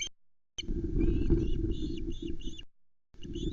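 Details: Osprey chicks at the Loch Arkaig nest on 19 July 2020, during a trout delivery and a struggle over the fish. A few thin, downslurred chirps sit over a loud, low wind rumble.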